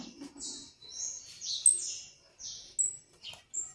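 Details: Soft, fairly distant-sounding canary song from a canário do reino, made of drawn-out buzzy high notes, thin whistles and short slurred syllables joined in an uneven phrase.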